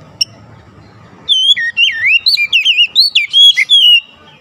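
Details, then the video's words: Oriental magpie-robin song played to goad other magpie-robins into song: after a short quiet pause, a three-second stream of clear, swooping whistles, rolling slurs and abrupt high notes. "PANCINGAN KACER langsung gacor ngotot"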